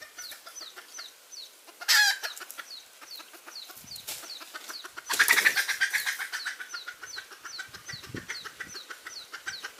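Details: Red junglefowl hen cackling, a recording used as a lure for trapping. Runs of quick, dry clucks break into two loud, harsh squawks. High descending whistles from another bird repeat steadily behind it.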